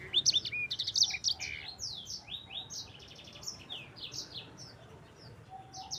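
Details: Sanger singing a long rolling song, used as a tutor recording for other songbirds: rapid high twittering of sliding notes and short buzzy trills, loudest at the start and then fading slightly, with a faint low hum underneath.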